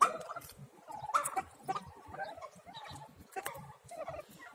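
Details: Little turkey poults, a group of domestic chicks, uttering soft chirps and thin peeps about once a second, uneven in rhythm, over a background of low scuffling noise.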